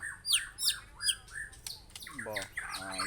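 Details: White-rumped shama, Aceh type, singing a varied phrase: sharp descending high whistles repeated about three times, then harsher, rasping and squawky notes with buzzy broadband bursts, recorded indoors.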